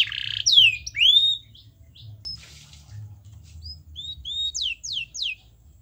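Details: Canary song meant to provoke a reluctant canary to sing: loose, sparse phrases of sharp upward and downward whistled sweeps and short chips, separated by pauses, ending in a few quick descending slurred notes.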